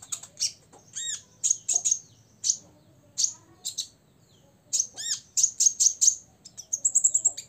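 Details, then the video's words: Six-year-old olive-backed sunbird's rival-provoking song: sharp, very high chirps repeated in quick clusters with short pauses, ending in a fast shimmering trill. "kolibri ninja ngobra 100% bikin lawan EMOSI"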